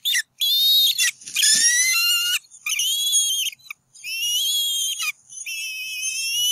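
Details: Bald eagle pair calling at their nest on Berry College campus, NW Georgia, 8 April 2018, as the male chases off an intruder while the eaglet stays flat on the nest; loud, high, squealing whistled notes in harmonic stacks, with brief gaps between calls.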